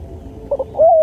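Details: Spotted dove (tekukur) song used as a training recording for lure birds: two short soft notes followed by a long smooth, slightly rising then falling coo.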